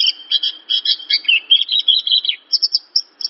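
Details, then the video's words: Javan bush lark masteran song: a jumbled chatter of high and mid-pitched chirps, warbling in the middle, then spaced sharp high notes. The setting is quiet. "Masteran Branjangan!! // burung bahan pasti langsung respon"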